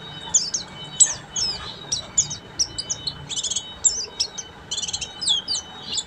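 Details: Pleci buxtomi, an Oriental white-eye, in full ngeriwik song: continuous high-pitched twitters and buzzy trilled notes in fast jumbled sequences, with a faint steady hum in the background.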